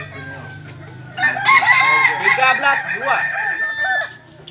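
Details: Long, loud crow of a Kokok Balenggek chicken, a native breed from Solok, West Sumatra, with many bouncing harmonic syllables strung together for about three seconds amid some broadband noise.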